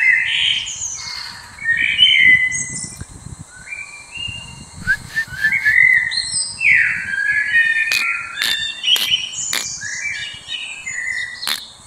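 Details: Captive kaka, the New Zealand forest parrot, at Stuttgart Zoo: varied whistled and squeaky notes, some sliding up or down, follow one another without pause, and sharp clicks sound toward the end.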